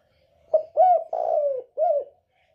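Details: Northern spotted dove, 'còi bổi' voice, a call for provoking other birds: four separate low coos in under two seconds, a brief note, two longer arched coos and a final short one, in a clear quiet setting.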